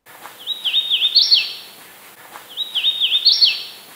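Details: A Hooded Warbler gives its song twice, likened to 'weeta weeta weeteeo': a clear, high whistled phrase of slurred two-note units ending in an emphatic rising flourish, each about a second and a half long.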